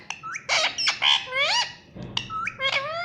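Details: Talking ringneck parrot in a fast jumble of rising voiced syllables and short harsh squawks over a steady low background hum.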